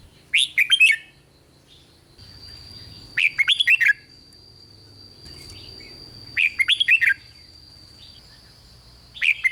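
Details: Red-whiskered bulbul song for exciting other bulbuls: four bright phrases of rapid warbled notes spaced about three seconds apart, with a thin steady high whine and low rumble between them.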